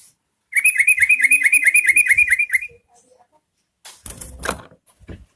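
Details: Yellow-vented bulbul song used as a lure to get other bulbuls singing: a quick, even run of bubbly, chattering notes lasting about two seconds, followed by silence and then a short burst of clattering noise.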